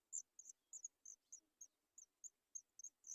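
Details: Begging from three baby Sooty Chats awaiting food: steady series of short, sharp, very high squeaks, some doubled, repeated roughly three times per second.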